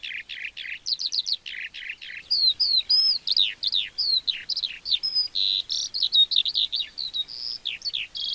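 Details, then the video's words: Lark singing to attract a mate, a continuous rapid stream of high chirps, slurred whistles and twittering notes, changing pitch constantly without pause. "SONIDO DE ALONDRA"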